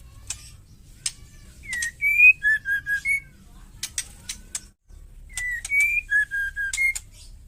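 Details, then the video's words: Wild female white-rumped shama giving fierce ketrekan calls used to provoke male birds to sing; a clear whistled phrase of a slurred note, a higher rising whistle and three short level notes, repeated, mixed with sharp dry clicking ticks. "suara ketrekan liar murai batu betina gacor tarung...bikin burung lain ngamuk..white rumped shama"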